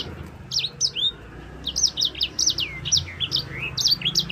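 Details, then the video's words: Sanger in lively, long rolling song, used as a master recording to teach other songbirds: rapid high sharp whistled notes and slurred chirps delivered in a continuous, busy stream with brief pauses, over faint low background hum. "Kicau burung sanger gacor ngerol panjang cocok untuk pancingan dan masteran"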